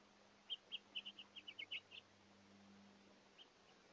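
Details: Hungry House Finches visiting a feeder: a quick run of about ten bright, short chirps in two seconds, then a single faint chirp, over a low steady hum.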